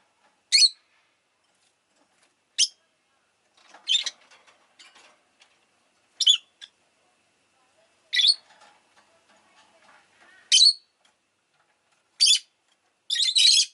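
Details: Rosy-faced lovebird giving about eight shrill chirps, roughly every one and a half to two seconds, ending in a denser burst, with faint rustling in between.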